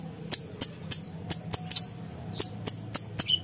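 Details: Blue-winged leafbird (cucak cungkok) giving evenly spaced sharp, high tick notes roughly every third of a second, with a brief sliding whistle, as a tutor recording for contest birds.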